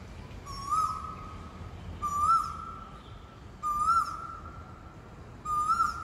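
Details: Unidentified bird locally nicknamed black oriole, calling around residential blocks; a long, level whistled note about a second long with a brief upward flick at the start, repeated four times roughly every one and a half seconds over faint background hiss.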